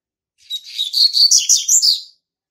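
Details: Young male Double-collared Seedeater (Sporophila caerulescens), hatched March 2019, singing to mark its territory: a rapid, high, buzzy warbled phrase of chirps and slurred notes lasting under two seconds, clean with no other sounds.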